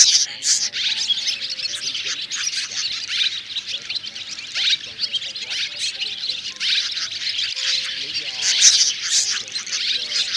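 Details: Mixed roosting calls of three swiftlet types, white-bellied, banded and grey-brown, gathering the flock to roost in a thicket, a 2024 trapping lure: dense high twittering chirps in continuous bursts with faint low tonal notes beneath.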